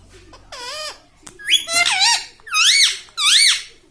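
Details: Green pet parrot, tagged as a ringneck, that talks and says mummy and papa: four loud, bright, arched syllables, each rising then dropping, about one per second, after a sharp click.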